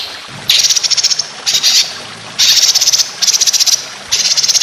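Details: Competition-training song of a white-rumped shama: five bursts of harsh, buzzy, rattled high trills, each under a second long, separated by short pauses.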